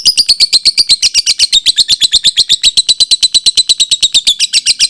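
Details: Lovebird sounds meant to set other lovebirds singing: a long, rapid, unbroken string of shrill, high chirps, about three each second, steady and insistent throughout.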